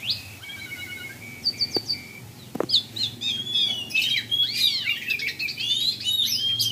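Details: A tame, vocal Asian pied starling in full song in the late afternoon before breaking the fast gives a varied, fast jumble of clear whistles, squeaky slurs and harsh chattering notes, with a couple of sharp clicks early on.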